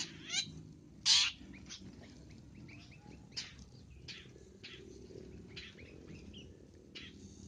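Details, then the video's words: Long-tailed shrike call used as a lure: one loud, grating, rasping burst stands out among fainter scratchy notes over a steady low background hum. "Suara untuk pikat Pentet"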